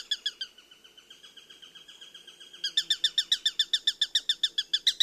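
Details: Birds chirping in a fast run of short bright notes, about three to four per second, with a sustained high tone beneath the first half before the chirps grow louder and quicker.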